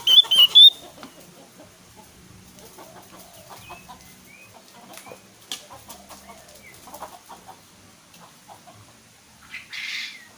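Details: Javan grey-throated white-eye in full song, kept as a lure to get other birds to sing: a burst of loud, high, clear whistled notes at the start, then scattered faint short chirps and a brief buzzy rush near the end.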